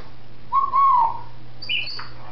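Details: Pet African grey parrot indoors, recorded December 2007, imitating sounds: a clear whistled note that wavers then falls, followed by short higher whistles, over a steady low hum.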